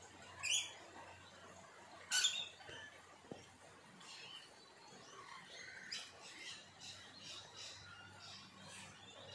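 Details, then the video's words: Rainbow lorikeets in the rain at Elanora, Gold Coast, Australia: two sharp, harsh screeches early on, then scattered fainter high chattering calls. A steady hiss of rain runs throughout. "Rainbow lorikeets in the rain"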